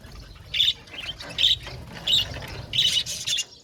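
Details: Budgerigars give short, sharp squeaky squawks in about five loud bursts, roughly one every 0.7 seconds, over softer background twittering and a low rumble.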